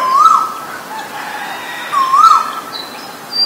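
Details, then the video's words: Asian koel pair, male and female: two rising whistled calls that swell upward and fall away, about two seconds apart, with faint high chirps of other birds behind. "นกกาเหว่าตัวผู้และตัวเมีย (Asian koel, Male, Female)"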